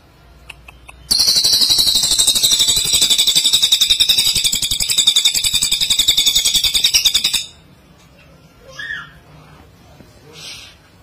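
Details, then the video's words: A cililin bird gives a loud, high, rapid buzzing trill that runs unbroken for about six seconds, then stops; faint chirps follow. "Cililin bird suara keras"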